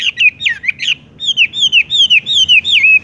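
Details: ["Wambie, or Horsfield's bush lark, delivering rolling song: fast, clear whistled notes that slide downward, strung closely together after a short break."]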